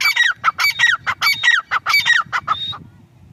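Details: Grey francolin, female, calling: a fast run of loud harsh notes, each sliding down from high to lower pitch, about seven phrases in under three seconds, then fading to a soft low rumble.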